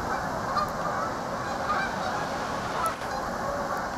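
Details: Large flock of geese calling together, a dense, continuous wash of overlapping honks with no single voice standing out, steady in loudness throughout.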